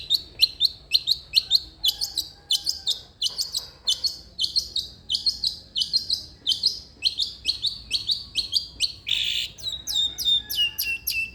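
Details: Long-tailed shrike in energetic song, a recording for prompting an idle shrike to sing: a steady run of quick, high, sharp chirps, about three a second, with a brief harsh note near the end.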